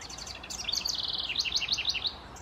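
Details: A House Wren singing on its birdhouse gives a bubbling song, a fast run of high chattering notes that tumble and rise in quick bursts over faint background hiss.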